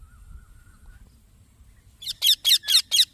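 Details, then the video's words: Young green parrot chirping: a faint thin tone, then five loud, rasping, high chirps in quick succession near the end. "Green Baby Parrot Chirping Sounds"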